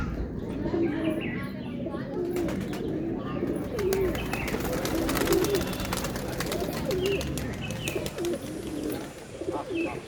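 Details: Pigeons coo in rolling, rounded phrases that rise and fall, repeated every second or two over a constant murmur of other coos, with short rustles and faint chirps.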